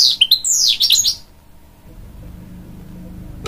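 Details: Hybrid goldfinch, crossed from canary and goldfinch, singing to chicks to encourage them: about a second of lively, high, zigzagging twitters and slurs that stops abruptly, followed by quiet room noise.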